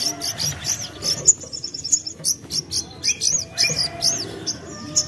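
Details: Young common iora on a singing lure recording: varied high chirps and whistled slurs, including a short trill, delivered in a lively, uneven jumble.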